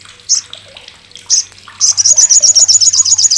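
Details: Olive-backed sunbird (Sogok Ontong) with a loud, rough, sharp chatter used to train contest birds: two separate high sharp notes, then a fast ringing rattle of high ticks for over a second, with a faint low hum.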